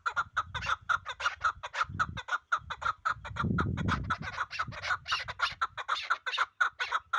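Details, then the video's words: Pamir chukar partridge giving a long rhythmic series of short, clucking chuk notes, about two per second, with low rumbling noise beneath. "Кабки Помир"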